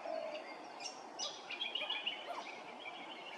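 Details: Grey-crowned babbler calling at Hervey Bay, Queensland, with a quick series of bright, high chattering notes after a brief low whistle.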